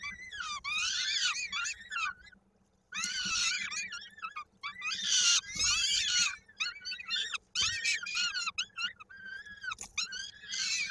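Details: At a Koszalin peregrine falcon nest in Poland on 16 May 2022, during feeding with a chick's foot lodged in a beak: near-continuous series of harsh, wavering screeches and whining cries, broken by one short pause.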